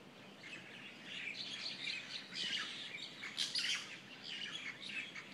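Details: Morning chorus of birds in Kona, with many high twittering and chirping voices overlapping; bright bursts of sharp, rapid notes rise out of the chorus around the middle and near the end.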